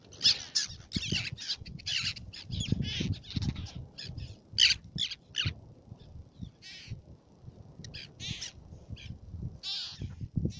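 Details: Black-naped terns at Fares, Baa Atoll, Maldives, giving harsh, rasping high-pitched calls in quick irregular bursts, several overlapping, over a steady low rumble of wind or surf.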